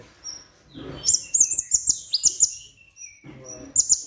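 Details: Plain-throated sunbird (konin) singing on a tutor recording, its song said to include imitations of other birds. After a soft opening note comes a quick run of about nine high, piercing chirps, then a final short burst.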